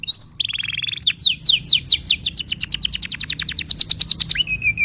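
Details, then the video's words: Song for tutoring young canaries and stimulating canaries gone quiet. A loud opening note and low roll give way to a long run of rhythmic downward-sweeping notes, a higher rattling phrase, then a soft falling whistle. "Masteran Untuk Kenari Paud Dan Pancingan Kenari Macet Bunyi"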